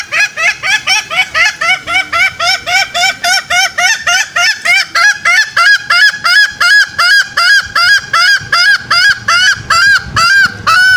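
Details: Lure call of green junglefowl, played to attract males into snares: long steady run of short honking clucks, about three per second, loud and uniform throughout.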